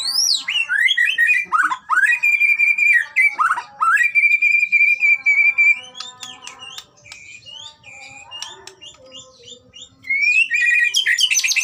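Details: White-rumped shama song used to train another shama to sing: rich whistled phrases with long sustained level notes, a quieter stretch of varied chips mid-way, then loud rapid twittering at the end.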